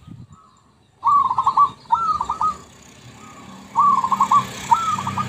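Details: Zebra dove song used as a lure: after a second of near silence, four phrases follow, each a rising opening coo breaking into a rapid stutter of pulsed notes, with faint hiss behind.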